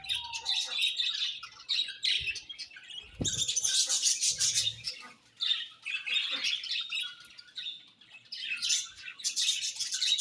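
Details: Budgerigars chirping nonstop, a busy flock chorus of high, scratchy warbling chatter in long overlapping bursts with brief pauses, a few louder squawks and a soft low thump near the start.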